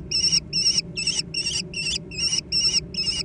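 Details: Young American kestrels fighting over food: eight loud, shrill, squealing notes in quick even succession, about two and a half per second, each with a wavering high tone, above a faint low background hum.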